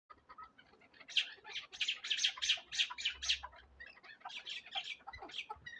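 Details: Chukar partridge of Darvaz stock, a leg-tethered hunting decoy bird in Tojikobod district, Tajikistan, gives a rapid series of harsh, clipped notes, several bursts a second, rising to a loud run mid-clip, then softer scattered calls.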